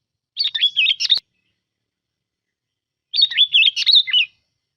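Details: Two matching chattery warbled phrases from a decoy sooty-headed bulbul about two seconds apart, each a quick string of bubbling notes, the first ending in a sharp click.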